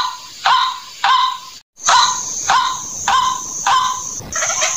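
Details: White-breasted waterhen calling: harsh, nasal honking notes repeated about every half second to second, each broad and rasping, with a steady high hiss behind and a brief gap of silence.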